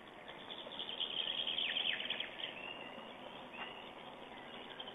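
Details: A male black stork on a nest cam (22.04.09) calls to his mate while arranging twigs and moss on the nest: a hoarse, rasping two-second burst of high, scratchy notes, then one short rasp, over steady hiss.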